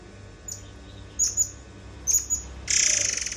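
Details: White-browed fantail vocalising on a tutor recording for training other songbirds: a few sharp, very high chirps in quick pairs, then a dense rasping buzzy burst, over a faint background hum.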